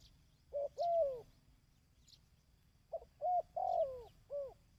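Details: Coo phrases of a dove played to train decoy birds: a short clipped note, then a drawn-out downward-curving coo, then a pause before a rapid set of three to four similar notes.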